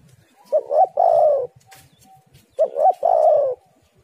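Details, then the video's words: Spotted dove used to attract other doves: two phrases, each of two short rising coos and a longer falling coo, about two and a half seconds apart. "tekukur super gacor suara indah"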